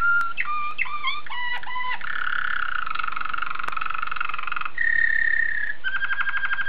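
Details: Belgian Waterslager canary song moving through varied tours: quick hopping notes that dip and rise, a sustained warbling roll, a steady held tone, then a rapid fine trill of low, clear, full tones.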